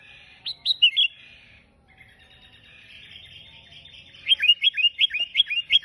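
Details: Sooty-headed bulbul singing an unusual vigorous song used to lure and tutor other bulbuls: three quick falling whistles, a soft buzzy chatter, then a rapid string of about eight evenly spaced downslurred notes.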